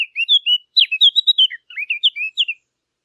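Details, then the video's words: Birds chirping rapidly, about four notes each second, with a string of bright, slurred whistles that swoop up and down. A short gap interrupts the string before it resumes. "نصف ساعة من صوت العصافير الجميل ، Yarım saat kuş cıvıltısı ، Half an hour of birds chirping"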